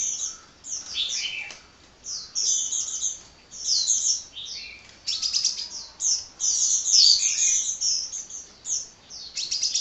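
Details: Nonstop high twittering from a hummingbird: rapid squeaky notes and trilled bursts in uneven phrases, some notes dipping lower, over a quiet background.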